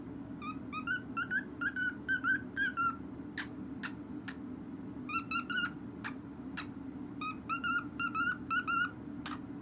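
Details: A pet cockatiel of uncertain sex, described as tone deaf, whistles a halting series of short, wavering notes in phrases, with a steady hum behind.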